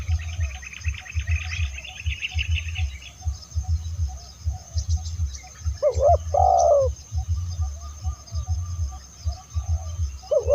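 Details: Calls of a spotted dove for attracting other doves, one hooked coo and a longer loud coo near the end, over steady low rhythmic thumping and some faint higher bird chatter early on.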